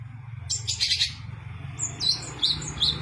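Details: Long-tailed shrike in energetic song full of rapid bursts and mimicked phrases, kept for training contest songbirds: a harsh broadband burst, then a scatter of high chirps and short whistled notes over a steady low hum.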